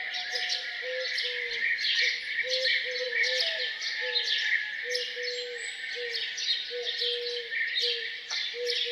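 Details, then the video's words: Birds greeting the morning around a farmhouse with a lively chorus of chirps and twitters, while a low hollow note repeats steadily about once a second underneath. "Relaxing sound of birds singing down on the farm"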